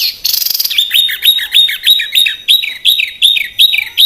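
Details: Small bird singing on a songbird training compilation: a short burst of dense high buzzing, then loud swooping whistles that drop in pitch, repeated about three times a second.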